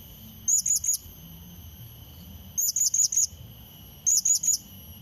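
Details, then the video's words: Rival-challenging lure call of a blue-crowned hanging parrot: three tight bursts of three or four high, thin, sharply pitched chirps, recurring about every 1.6 seconds, against a continuous faint whining tone and low background noise. "Serindit Pikat Memanggil Lawan | Bunyi Pancingan"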